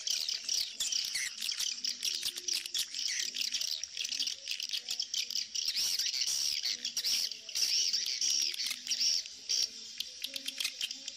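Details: An edited mix of swiftlet colony mating calls, with a calling sound added, gives continuous high, rapid twittering and chirping chatter, with many birds overlapping and faint lower tones underneath.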